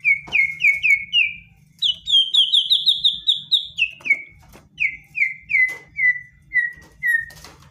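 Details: White-rumped shama in aggressive provoking song packed with rapid bursts: repeated downslurred whistles roughly every half second, a fast high trill in the middle, then more evenly spaced falling whistles; low hum underneath.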